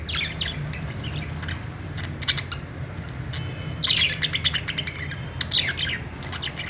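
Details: Happy budgerigars kept as pets give scattered sharp chirps and short squawky chatter, with a busier burst of warbling notes near four seconds and again around five and a half, over a constant low background hum.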